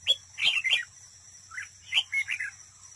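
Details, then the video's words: Red-whiskered bulbul decoy bird in a trap, competing in song: quick bright warbled phrases of three or four sweet notes, a pause, then another jumbled phrase, with a constant high thin drone behind. "Cận cảnh chào mào mồi đấu bẫy, hót đấu"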